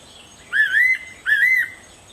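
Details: A fairy pitta in the morning gives two clear whistled phrases, each a slurred double note that lifts then levels off, about three-quarters of a second apart, over a quiet background.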